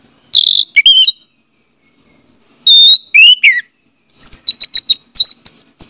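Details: Lure song of an orange-headed thrush for a bird that has stopped singing: high sweet whistled phrases, a downslurred whistle, then a rapid string of sharp chirps and trills, with brief silences between.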